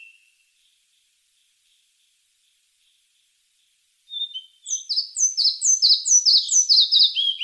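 Red-breasted flycatcher song: after a quiet pause, a run of high, bright down-slurred notes repeated about three times a second, growing fuller toward the end.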